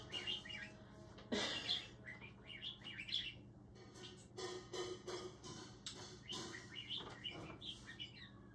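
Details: Pet budgerigar sitting on its cage, excitedly singing to a piece of paper being waved as if flying. Soft, scattered chirps and short chattering bursts come every second or so, with a faint steady indoor hum behind them.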